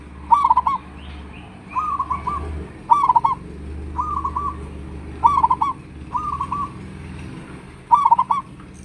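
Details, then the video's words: Rainy-season song of a caged local zebra dove: seven brisk phrases of staccato, bubbling coos, each under a second, repeated about every second and a quarter against a steady low hum. "perkutut lokal masih gacor di musim hujan"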